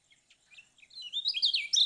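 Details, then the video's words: Lemon-bellied white-eye from Lombok: a few soft, thin chips that build into a loud, rapid run of high twittering notes. "Kicau Kecial Kuning Lombok"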